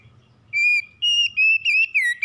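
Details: Morning song of a stressed magpie-robin: loud, clear whistled notes, mostly steady and level, in five separate phrases with short gaps, the last dipping slightly; faint low hum underneath.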